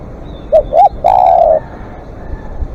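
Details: Spotted dove giving long calls, used as a live decoy: two short rising-falling coos, then one long, steady, mellow coo of about half a second, with faint clicks and a quiet background.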